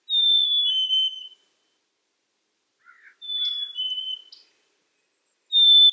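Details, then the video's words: Black-capped chickadee repeating its sweet two-note whistle three times, high then lower, with pauses of about two seconds and a few soft, short notes in between. "Black Capped Chickadee Bird Sound, Bird Song"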